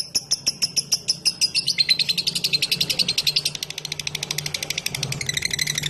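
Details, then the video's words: Lovebird's long 'ngekek' chattering song, used as a lure so other lovebirds join in; dense, high, rasping pulsed chatter that varies in pitch throughout, with a low steady hum underneath. "Burung LoveBird Ngetik Ngekek Panjang Terbukti Ampuh Pemancing Love Bird langsung Ikut Ngekek"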